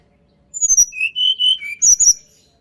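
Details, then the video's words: Sunda robin in natural voice, offered as a lure for reluctant singers; high thin falling whistles run into three longer, lower whistled notes, followed by another burst of sharp high notes. "TLEDEKAN GUNUNG SUARA ASLI ALAM \\ COCOK UNTUK PANCINGAN TLEDEKAN MALAS BUNYI"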